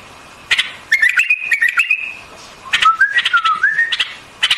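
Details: White-eared bulbul song with two clear phrases: first a bright wavering run of whistles, then a lower, smoother series of slurred notes climbing step by step, framed by crisp ticks.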